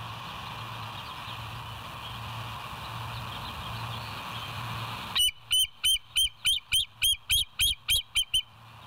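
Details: Bald eagle, West End nest cam, morning of 07/09/2023 at 06:24: after five seconds of background hum, a sudden burst of about twelve regular, high, sharp whistled chips, close to three per second.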